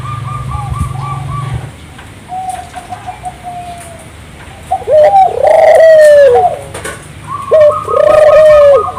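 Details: Turtle dove singing strongly as a lure for local doves: quiet distant cooing at first, then two loud phrases of a short note and a sustained level coo, with some high chirps and a low hum.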